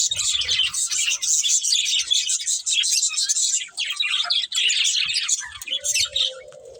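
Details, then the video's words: Breeding pair of budgerigars in dense, buzzy chatter with quick squeaky twitters, ending with a short steady tonal whine under fading chirps. "Beautiful Budgies Chirping Sounds"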